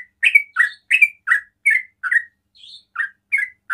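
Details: Yellow-vented bulbul singing in the rapid ropel style, which is said to provoke other bulbuls into calling. Bubbly, slurred chirps are delivered in quick succession, roughly three per second, with a brief gap before a higher note and renewed chirping.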